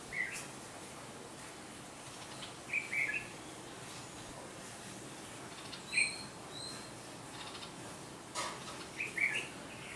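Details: Red-vented bulbul parents scold a person approaching their nest, where three chicks sit in a flowering plant at a house and are being fed. Short, sharp chirping notes come in scattered bursts, about five across ten seconds, over a steady background hiss.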